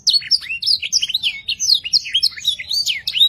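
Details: Lure song of a canary meant to get young birds singing quickly. Quick sequence of clear swooping whistles and short chirps, tightly packed and continuous.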